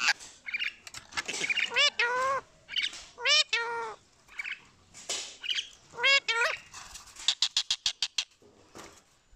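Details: Rose-ringed parakeet talking, mimicking human speech: a string of harsh, speech-like syllables and short squawks in uneven bursts, ending in a quick run of clicking notes, with music in the background.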